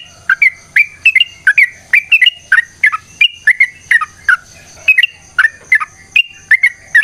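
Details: Fighting-style long rapid song of a sooty-headed bulbul, meant to lure other bulbuls into answering: quick chains of clipped, liquid whistles, often in pairs, with barely a pause between phrases and a thin steady high tone underneath.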